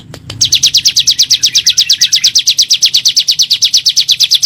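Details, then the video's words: Ciblek gunung, the bar-winged prinia, singing 'nembak' for a lure track to make lazy caged birds sing: two clicks, then an unbroken, very rapid run of high, sharp, evenly spaced chirps. "PANCINGAN SUARA BURUNG CIBLEK GUNUNG NEMBAK"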